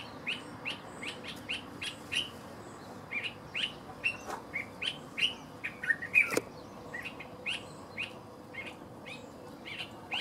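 Dark-capped bulbul giving a run of sharp, bright chip notes, roughly three a second, with one loud click partway through over a soft background hiss.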